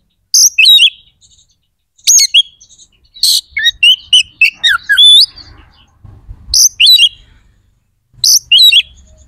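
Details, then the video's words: White-rumped shama song used to excite aggression and breeding drive in other shamas: clusters of high whistled and sharply slurred notes, some looping, repeated in bursts roughly every two seconds over faint low noise. "SUARA KACER GACOR🔴 AMPUH JEBOLKAN EMOSI DAN BIRAHI KACER"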